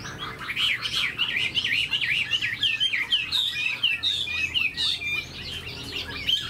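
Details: Caged, tame Chinese hwamei with fanned tail, performing an eagle-like wing display. A long string of quick, bouncing whistled notes, each swooping up then down, comes in a lively, nearly regular run, with a quiet room behind it.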